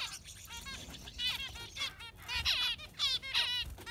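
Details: Yellow finch in full song: dense, fast chirping phrases with sweeping twitters and brief buzzy notes, delivered almost without pause.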